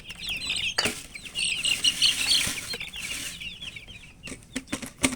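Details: Coloured baby chicks of the chicken, with a hen: steady high cheeping from many chicks, broken by loud bursts of wing flapping and scuffling, and sharp knocks near the end.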